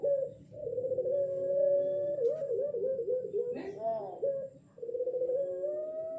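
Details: Six-month-old ring-necked dove learning to coo in the dark gives long, drawn-out, wavering coos, steady and mid-pitched, almost wolf-like howl, with a brief break before the tone resumes.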